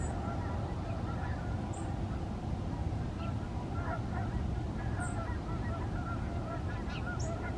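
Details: Flock of Canada geese in formation flight, continuous chorus of harmonic, nasal honks from many birds at once, rising and falling irregularly throughout, with faint small-bird chirps in the background.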